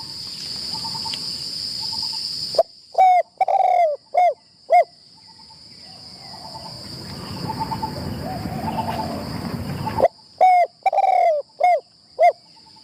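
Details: Decoy spotted dove during its first trap-enclosure training. Two bursts of hollow, slightly descending coos come four or five notes at a time, separated by a stretch of rustling background noise. A constant shrill whine runs throughout.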